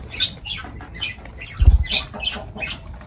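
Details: Shrill, high-pitched chirping from lovebirds, quick repeated notes with a brief low thump partway through.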